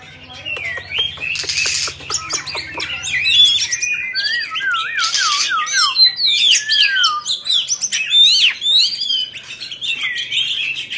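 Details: Caged Oriental magpie-robin, a white-rumped variety, singing while spreading its tail: varied whistled phrases with rising and falling slurs and buzzy notes, repeated rapidly, opening with a few harsh broadband bursts and a faint low hum beneath.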